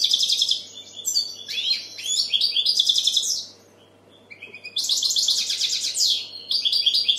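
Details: European goldfinch delivering loud tinkling phrases to attract females and encourage young birds to sing: quick chirps and trills, a near-silent pause midway, then another long liquid twittering phrase.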